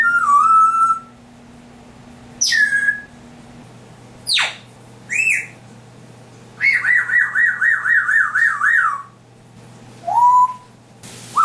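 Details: African grey parrot, kept indoors, mimicking sounds: a falling whistle, a sharp squawk, a buzzy rising note, then a fast series of wavering whistled notes and a final downward slide, with pauses between phrases.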